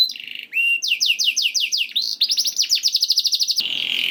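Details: Canary song played to stimulate canaries to sing: a high buzzy trill, then a run of repeated downward-sweeping whistles, a rapid rattling tour and a fast series of bright notes ending in a steady buzz.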